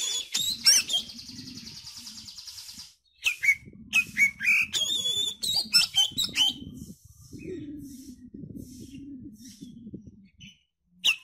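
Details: Oriental magpie-robin lure song used to get young birds singing: bursts of varied whistles and sharp chips over a steady low hum, with brief silent gaps.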